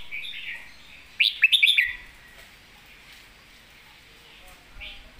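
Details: Master-song phrase of a red-whiskered bulbul, a golden-voiced bird: soft warbling, then a loud rapid burst of several looping whistled notes, followed by quiet and one faint note.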